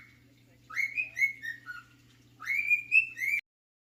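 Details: Two brief phrases of melodic whistling from a male cockatiel performing his favourite tune, The Sounds of Silence: upward-sliding notes that settle into steady tones, with a low hum until the sound cuts off abruptly.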